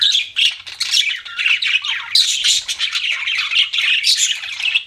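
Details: Pet budgerigars chirping in a continuous, busy warble of squawky, buzzy notes and quick chirps, overlapping with no real pauses across the whole stretch.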